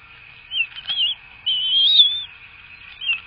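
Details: Bald eagles at a nest in Florida during feeding, 3 May 2024: high, thin whistled calls that waver and slide up and down, given in short bursts and one longer wavering phrase, over a steady faint hum.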